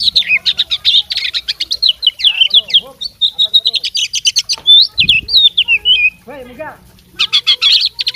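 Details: Oriental magpie-robin of fighting stock, unloading its mimicked repertoire: fast strings of high chirps and sliding whistles, broken by a few lower, throatier rasping notes, with a brief soft thump midway.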